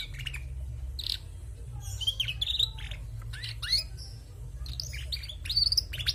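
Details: Female canary singing actively, giving bursts of bright chirps and short rising and falling whistled notes in clusters, with pauses between phrases, over a steady low hum.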